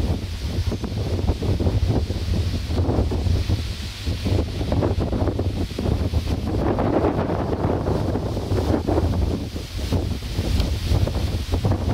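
Steady wind buffeting the microphone with a low rumble throughout, and no animal calls to be heard.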